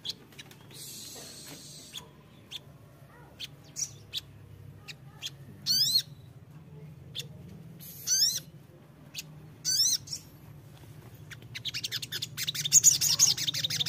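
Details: Hill Prinia, a lure recording meant to make untamed wild-caught birds sing: short, very high chirps and zigzag trilled bursts every two seconds or so, becoming a thin rapid chatter near the end, over a steady low hum.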